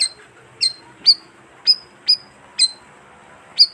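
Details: Bayeman, a flock-living bird, giving calls used to lure wild birds: clipped, piercing chirps that slide down and level off, repeated roughly every half second with small gaps, against quiet background noise.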